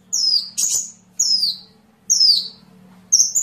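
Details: High sunbird calls for songbird training: each note is a loud whistled slur falling steeply, repeated about every second, with one brief harsh burst and a faint low hum behind.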